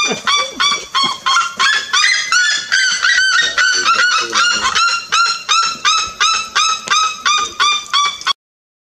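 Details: Red-legged seriema (Cariama cristata) in Brazil, 2016, giving a loud, harsh series of nasal yelps, about three per second, steady in pitch for eight seconds before stopping abruptly.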